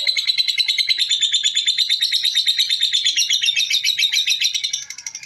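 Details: Lovebird chattering in the ngekek style, a rapid string of shrill, evenly pulsed notes, nearly two per second, that weaver slightly in pitch and fade at the close.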